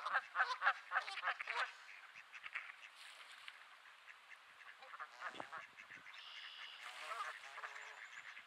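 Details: Geese described as grumpy, recorded on an overcast 15°C May afternoon in Sainte-Adèle, Quebec, Canada; a burst of loud nasal honks at the start gives way to quieter scattered calls and a faint high whistle later.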